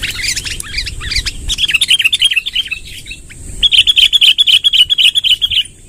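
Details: Sooty-headed bulbul in 'tembakan' style, long rolling 'ngerol panjang' song: mixed chirps, then two fast rolling trills of evenly repeated bright notes, about four per second, with a short pause between, over a steady high whine.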